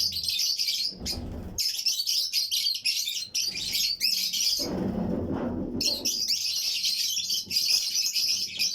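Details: Colony of Fischer's and lutino lovebirds in a breeding flight aviary keeping up shrill, continuous chatter of high chirps and squeaks, with a couple of brief lower bumps and rustles.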